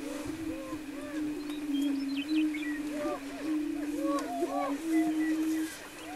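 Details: Greater prairie-chickens on a lek near Wray, Colorado, April 17, 2011: a steady low droning hum runs throughout beneath many overlapping arched, rising-and-falling whooping calls and a few higher whistled notes from several birds.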